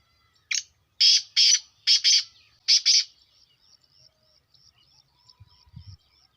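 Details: Kala teetar, the black francolin, giving its call: one short harsh note then four loud grating, buzzy notes in two close pairs, followed by a faint series of thin ticking notes and a brief low thump.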